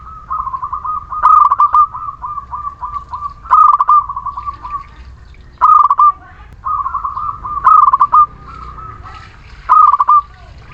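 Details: Energetic local Muria zebra dove, used as a lure for reluctant singers, gives strings of soft bubbling coos punctuated by louder rattled bursts. The phrases run almost continuously, with short pauses between them.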